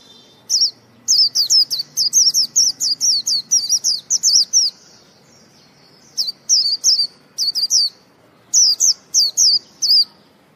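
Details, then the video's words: A purebred white-eye chirps energetically: a long fast string of high, twisting notes for about four seconds, then several shorter clusters of three to five chirps after a pause. "Birds chirping singing purebred Zosteropidae"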